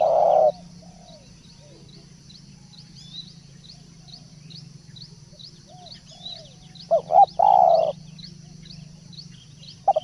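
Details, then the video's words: Spotted dove decoy call used as a lure: short low cooing phrases, one at the start and a louder cluster near the end, separated by long quiet stretches, with a steady high ticking insect-like background throughout. "pancingan burung balam/tekukur"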